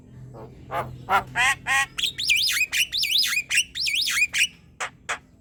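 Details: Lively Javan myna chatter used to tutor other birds: rising harsh squawks leading into a rapid string of high wavering looping whistles, ending with two short clicks.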